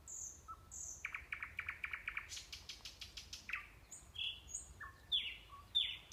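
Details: Song of a nightingale in Kursk Oblast, Kurchatov District, close to the Orbita sanatorium: high drawn-out whistles, a quick series of repeated notes, then separate clear whistled notes at shifting pitches.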